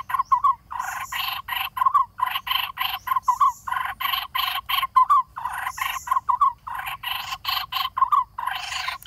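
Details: Lineated barbet chicks in a nest in the hollow of a dead durian tree, near fledging, screaming while waiting for parents to bring food; harsh buzzy bursts repeated in quick series, each ending in a brief rising note, with short gaps between.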